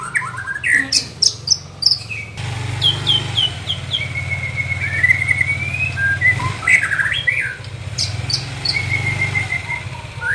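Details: White-rumped shama, a young bird being trained, gives sharp chips, then long clear whistles that slide up and down, mixed with quick twittering bursts, above a constant low droning hum.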